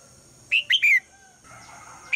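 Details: A female red-whiskered bulbul calls in the morning so the male will sing: a quick phrase of three loud, rich whistled notes, the last sliding downward, then softer background warbling.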